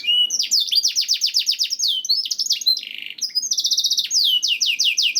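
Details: Canary song meant to get canaries singing: rapid descending whistled sweeps, a short buzzy rattle, then a quick even trill of sharp notes followed by more falling whistles.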